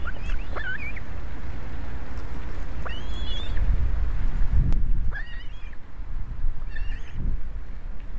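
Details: Soaked Osprey young at an Estonian nest on 11 July 2017, afternoon, when a huge fish is delivered: bursts of high, slurred whistled chirps, some rising then falling, separated by pauses, over a constant low rumble.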